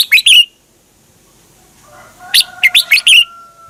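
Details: Red-whiskered bulbul in a cage in Thailand, recorded to be played for training or stirring up captive birds; a quick double note, a pause, then a rapid run of five bright, warbling notes.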